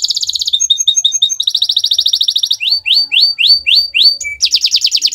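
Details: Friday morning canary song full of varied phrases: rapid ringing trills, a run of short chip notes, then upward-hooked whistles repeated steadily, closing with a buzzy churring burst.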